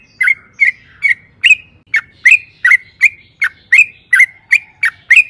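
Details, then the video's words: Lively yellow-vented bulbul song meant to provoke other birds: a steady series of clipped, bright chirps, about thirteen in five seconds, some ending in a slight whistled slur. "pancingan trucukan gacor ROPEL PANJANG NARUNG AMPUH jadikan BURUNG TRUCUK GACOR NYAUT SEKETIKA JUGA"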